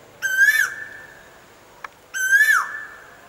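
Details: Koel singing its sweet song: two loud, clear whistled notes, each rising then sliding down, about two seconds apart, with a brief faint click between them.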